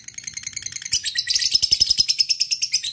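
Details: Short burst of a fighter lovebird's ngekek trill aimed at a rival, rough chattering that quickly builds into loud, evenly spaced scratchy beats.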